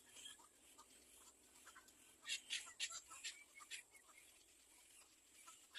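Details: Little egret chick begging its mother for food: harsh, buzzy broadband rasps in quick irregular bursts, strongest and densest in the middle, over a faint steady hiss.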